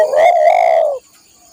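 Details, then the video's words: Single long, mellow coo of a spotted dove, recorded for training caged birds, held steady for about a second before fading into quiet background hum. "masteran burung tekukur/derkuku"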